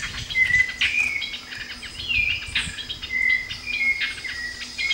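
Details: Streaked flycatcher (Myiodynastes maculatus) repeating brief, thin, slightly slurred squeaks every half second to second. A constant insect drone and scattered chirps of other birds sound behind it.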